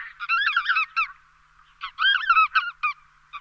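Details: Lesser white-fronted goose (Anser erythropus) giving high, squeaky yelping calls in two quick bursts of several notes, with a short pause between them.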